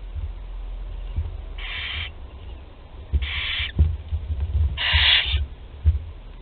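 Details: Three breathy hissing screeches, each roughly half a second, from barn owl chicks in Théding, France, 20 July 2020, when a 13-day-old chick manages to swallow prey whole; clicks and low rumbling in between.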